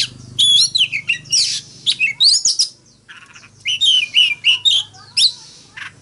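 An Oriental magpie-robin pours out rich, varied whistles, sliding and twisting phrases in quick bursts with short pauses, over a faint low hum.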